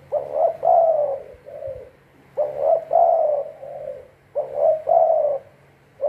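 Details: Decoy spotted dove for trapping, calling three-part cooing phrases, two short notes, a longer coo and a fading lower tail, repeated about every two seconds.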